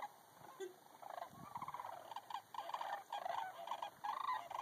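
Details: Sandhill cranes relaxing in a pond near Bosque del Apache, New Mexico, give rolling, rattling, trumpet-like calls in overlapping bursts of about a second, with a faint steady background hum.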